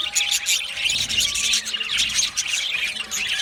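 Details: Budgerigar warbling: busy, bright chirps and squawky notes tumbling over each other without a break, loud and even for the whole stretch.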